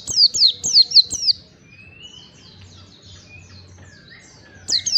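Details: Oriental white-eye recording for training caged birds: a quick burst of piercing downslurred chirps, followed by soft distant twitters and a thin rising whistle before a final short burst.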